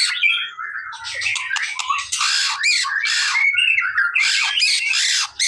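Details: White-rumped shama song used to provoke a response: loud, harsh, buzzy bursts mixed with rising and falling whistles in a dense, fast sequence, faint low thumps underneath.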